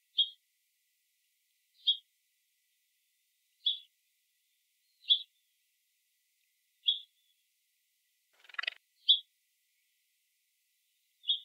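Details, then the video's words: Scrub jay calling with short, clipped notes at a steady high pitch, repeated roughly every two seconds over a silent background, with one broader, rougher burst near the end. "Scrub Jay"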